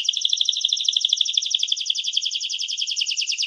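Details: Canary producing a dense, fast rolling trill of high, bubbling repeated notes, sustained and even without pause.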